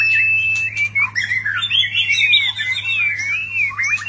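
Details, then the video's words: Displaying White-rumped shama pouring out a varied whistled song: a level opening whistle, then looping, wavering phrases that rise and fall without pause, with a deep steady hum behind. "ลีลา นกบินหลาดง MURAI BATU GACOR White-rumped shama Display kích chòe lửa hót nhiều giọng บินหลาดง"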